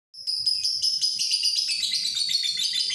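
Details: Male lovebird in breeding condition, recorded on a Redmi 9C phone: a sudden onset of dense, high, rapid chattering that runs without pause, shrill buzzy notes pulsing several times a second.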